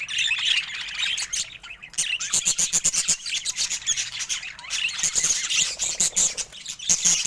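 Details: Budgerigar chatter, dense and high-pitched, packed with rapid clicks and squeaky warbled notes that run on continuously, pausing only briefly.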